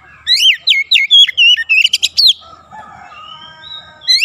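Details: Rapid, varied whistled phrases from an Oriental magpie-robin, notes rising and falling about four per second for two seconds, followed by softer drawn-out warbles and a last loud upward whistle.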